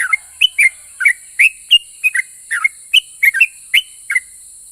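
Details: Yellow-vented bulbul, a vocal bird whose song provokes other bulbuls to answer: short whistled chirps, some rising and some falling, about thirteen in under five seconds, often in pairs, over a steady high hiss.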